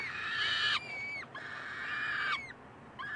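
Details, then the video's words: Begging peregrine falcon chicks, Columbus, May 9, 2015, with the resident adult male babysitting; two long harsh screeching wails, each ending with a downward slur, then a third starting. "Feed me"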